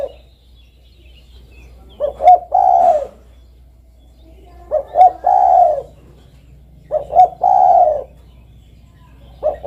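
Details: Spotted dove repeating its cooing phrase roughly every two and a half seconds: a clipped double note, then a long, hollow, falling coo, with quiet background between.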